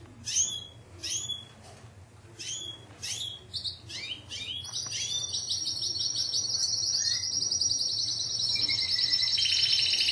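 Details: Timbrado canary from a Greek Timbrado club breeding line, 2009 team entry, singing: a run of separate sharp chirped notes about twice a second, then from midway a long unbroken rolling trill that drops to a lower, slower roll near the end.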